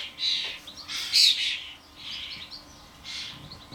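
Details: Adult starlings and their young at a suet feeder in a garden: a few smeared, raspy, wheezy calls, the loudest near the start, fading into softer scratchy notes.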